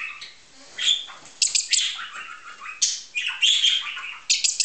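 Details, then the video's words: Budgerigars, heard but not seen during a first outing with a hand-reared young starling, chatter in a busy, high, scratchy warble of chirps and squeaks, bursting every second or so with little pause. "Erster Ausflug mit den Wellis (die man allerdings nur hört, nicht sieht"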